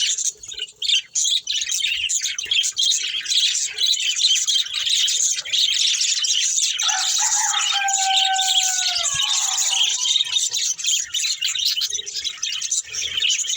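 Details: Budgerigars chirping while playing chatter in a dense, high, warbling stream, with a brief clear whistle partway through.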